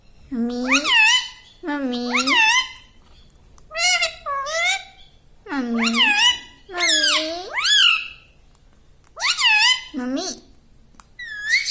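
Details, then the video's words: Human-like talking from a pet parrot called a tota, repeating "mummy" and "mitthu": rhythmic two-syllable words, a lower start sweeping upward, repeated about every two seconds in a quiet room. "Talking Like a Human - Mummy Bolne Wala Tota - Talking Parrot - Mitthu Mitthu"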